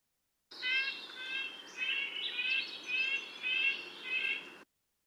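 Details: A Red-breasted Nuthatch gives its nasal call, a series of short, tinny notes like a tiny toy car horn going meep meep, about seven in four seconds, over faint background hiss.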